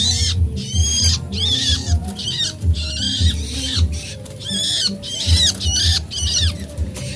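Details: Young birds begging noisily for food while being hand-fed; shrill, buzzy, rising-and-falling squeals repeated in fast bursts, roughly ten calls, accompanied by regular soft low thumps and steady background hum.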